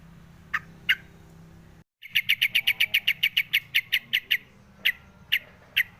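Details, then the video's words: Yellow-vented bulbul calling: two sharp chirps, a brief gap, then a fast run of about fifteen bright, clipped notes, followed by a few spaced chirps over a low background hum. "suara crucukan ngalas"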